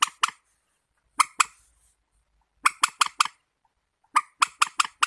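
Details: Warbler giving short harsh buzzy notes with a nasal edge, in bursts of two to five separated by pauses of about a second, against a quiet background.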